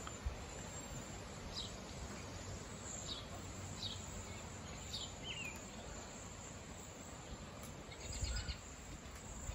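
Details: Wild cedar waxwings in a flock, giving thin, high, slurred whistles in short bursts spaced about a second apart, with a steady high hiss and low background rumble throughout.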